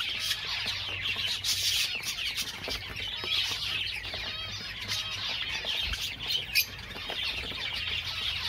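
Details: Java sparrow song from many birds: steady shrill twittering and rapid chirps, with soft fluttering sounds and an occasional sharp squeak cutting through the chatter.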